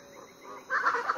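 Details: Variable chachalaca calling before dawn on Foengoe Island, Suriname: a loud, harsh, fowl-like call bursting in abruptly after a quiet start, holding a mid pitch with rough, grating pulses.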